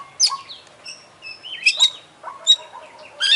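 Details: Oriental magpie-robin, an international competition champion, singing its filler repertoire: scattered, softer whistled and chattering notes with gaps, a few sharper high phrases standing out.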